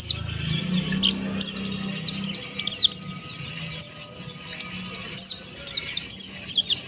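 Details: Oriental white-eye, used as therapy audio meant to make the bird sing a harsh 'ngeriwik' style. Dense, rapid, high thin chirps and sweeping twitters, repeated in quick bursts about every half second, with a faint low hum.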